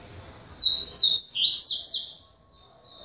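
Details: A captive male double-collared seedeater at a breeder in Salvador, Bahia, Brazil, described as a "galador" with "polaco" song, sings a quick burst of five or six high, bright, sliding notes over about 1.5 seconds, then a softer trailing note.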